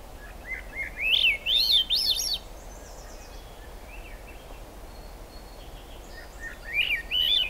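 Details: Singing in the rain at the Squamish Estuary, July 6, 2022, a Swainson's thrush gives an upward-spiralling run of flute-like whistled notes lasting about two seconds, a pause, then the rising phrase begins again, with constant rainfall noise.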